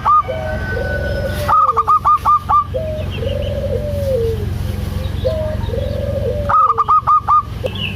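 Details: Female zebra dove of local stock calling to the male. A quick burst of clipped, ringing notes is followed by a series of soft, lower, slurred coos. A second fast burst of notes ends the passage.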